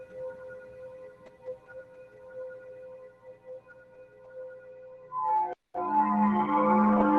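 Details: Ambient music with steady sustained tones and soft pulsing, then a brief silence near five and a half seconds before a louder, fuller passage of ringing tones.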